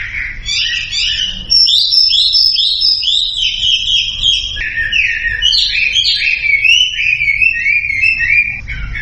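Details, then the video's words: Loud Sumatran leafbird song serving as a lure for birds that stay quiet: quick sequences of slurred whistles stepping up and down, then a long descending run of repeated chirps, sustained throughout. "SUARA MASTERAN WAMBI UNTUK YANG DIAM IKUT KICAU"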